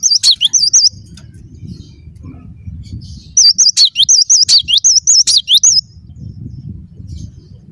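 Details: Gacor song of a cinereous tit (gelatik batu): a brief opening phrase, then a long run of about a dozen looping, wavering whistles delivered rapidly and evenly, with low rumbling background noise between phrases.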